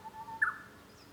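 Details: Japanese bush warbler singing, heard from a room at home on 5 May 2013: a steady low whistle that breaks into one loud, abrupt, higher burst. The phrase is short and stands out against a quiet background.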